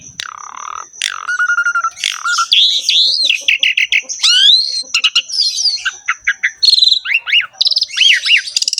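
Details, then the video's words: Asian pied starling in full varied song, mixing long level whistles, sweeping up-and-down notes, clicks and quick buzzy rasps in an unbroken busy stream, over a faint constant high-pitched tone. "KICAUAN BURUNG JALAK SUREN GACOR FULL ISIAN MEWAH"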